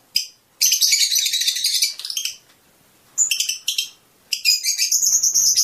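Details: Shrill bouts of fast twittering from a Fischer's lovebird, a mating-stimulation song, broken by two quiet gaps, with a few isolated sharp chirps in between.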